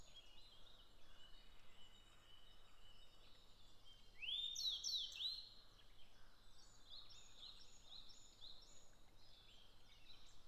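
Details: A Grey bunting in Japan gives one short, clear phrase of rising and falling whistled notes, over a steady chorus of many other birds.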